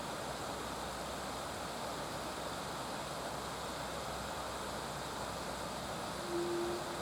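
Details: Unbroken rushing river water fills the whole recording, with no animal voices.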